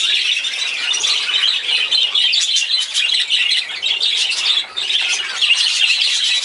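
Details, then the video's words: Parakeets, budgerigars kept for breeding in a cage, chatter nonstop: many bright, scratchy chirps overlap into a steady high wash, with a brief dip near the end before the chirping resumes. "Budgies (Parakeet) - Fast Growing Parakeet breeding cage"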